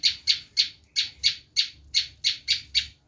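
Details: Screaming call of a Bar-winged prinia, used to draw in wild prinias: loud, harsh, scratchy notes, each sharply attacked and quickly fading, repeated evenly about three to four times per second.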